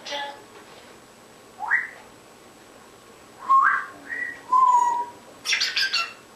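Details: Pet African grey parrot in a darkened room, performing unaware of the camera: scattered rising whistles, a clear sliding note, a steady whistled tone and a final burst of rapid scratchy squawks.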